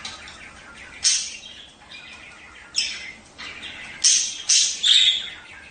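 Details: Budgerigar courtship calls meant to prompt pairs to breed: sharp high chirps and short squawks at irregular intervals, becoming quicker and louder in a cluster near the end.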